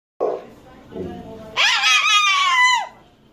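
A cockatoo gives two low, voice-like grumbles, then a loud, strained screech that rises and holds for about a second before dropping away.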